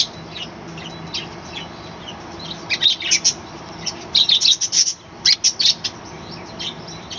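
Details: Morning chatter from a small balcony colony of caged budgerigars: soft scattered chirps at first, then a lively run of sharp, high twittering notes in rapid overlapping bursts.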